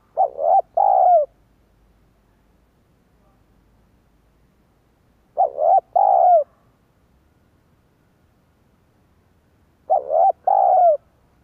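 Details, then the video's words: Spotted dove call played as a lure for wild doves: three loud, deep cooing phrases, each a short note followed by a longer rolling coo, repeated about every five seconds against a quiet background. "Chim cu gáy kích bổi nhanh nổi hiệu quả"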